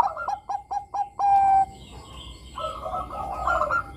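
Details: Bangkok zebra dove in full song, recorded to spur young doves into singing: a run of short staccato coos ending in a longer held note, followed by softer overlapping warbled coos against a light background hiss.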